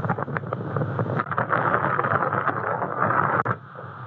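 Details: Wind buffets the microphone with a rumbling roar and scattered knocks, and no animal voice is heard.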